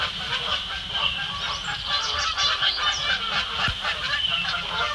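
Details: Squabbling Canada geese, including one with a neck tag, near Bubbler Island on Sapsucker Woods Pond, Ithaca, New York, in spring 2017; loud harsh honks repeat about twice per second in an unsteady, overlapping clamour.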